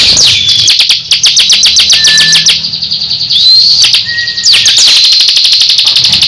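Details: Two competing ciblek birds, a crystal and a semi ciblek, in a heated duel: one sings rapid, high ticking notes about four per second while the other's thin slurred whistles overlap.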